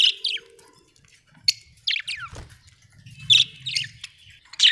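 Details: Pet budgerigars at home with short upward-sweeping chirps and harsh squeaks, spaced irregularly, with some soft low rumbling noise between calls.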